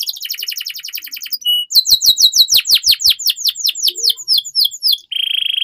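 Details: Master song of a canary for teaching young birds: a rapid rattling trill, a brief pure tone, then a run of steep descending whistles gradually slowing and lowering, ending in another quick high trill.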